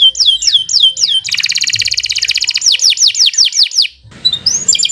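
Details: Kenari Nusantara canary in full, long continuous song used as master song for training: quick falling whistled notes, a fast rattling trill, then more falling notes, briefly pausing before a high rising note.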